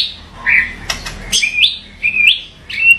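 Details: White-rumped shama singing short, clear, upslurred whistles roughly every half second, with a few sharp clicking notes between them.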